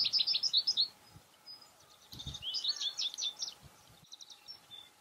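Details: European goldfinches visiting window flower boxes to eat cosmos seeds: quick bursts of bright, high tinkling twitters and chirps, one early and one mid-clip, with a few soft thumps and faint background hum.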